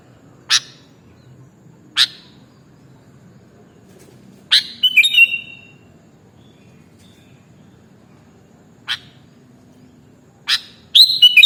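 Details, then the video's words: Sooty-headed bulbul (kutilang) in a training recording for caged birds: sharp, sudden chip notes spaced a second or more apart, with two short bubbly whistled phrases near the middle and end. Background is quiet. "Mastering Burung Kutilang Original Bikin Burungmu Bisa Langsung Nyaut dan Gacor"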